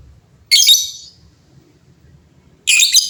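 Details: Lovebirds answering one another noisily: two short bursts of harsh, high, rasping chatter separated by about two seconds of quiet, over a faint low hum.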